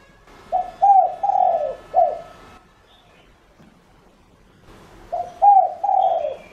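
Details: Spotted dove kept as a lure, cooing to attract other doves: two four-note phrases of gentle, hollow coos with a drawn-out falling third note, separated by about two seconds of near silence.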